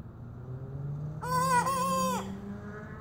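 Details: Young rooster practicing its crow: a short, roughly one-second harmonic crow that holds steady and then drops off at the end, over a continuous low engine-like hum.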